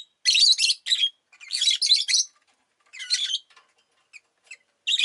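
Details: Pet rosy-faced lovebirds, several kept together and calling often that day, give loud harsh chirps in dense bursts. Rapid buzzy chatter runs for about half a second, repeats four times over five seconds, with brief pauses between.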